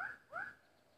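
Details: Bulbul, a decoy bird used in trapping, giving two clear whistled notes that slide down and then up, with a quiet pause after them.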